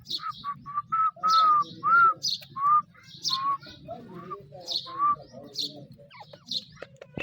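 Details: Grey francolin (teetar) in a natural setting: a run of clear, whistled, slightly upslurred notes repeated about every half second, with sharper high chips between them and a low steady hum underneath.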